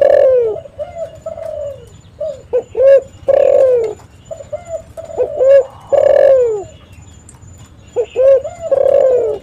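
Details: Spotted dove, likely used as a lure recording, giving soft mellow coos in short two- and three-note phrases, repeated every couple of seconds over faint background hiss.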